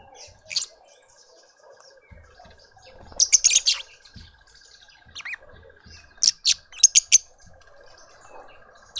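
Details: Lovebird family feeding a juvenile in a suburban garden in Pretoria, South Africa: sharp, high squeaky chirps in short clusters, bursts of three to four rapid notes separated by quiet pauses.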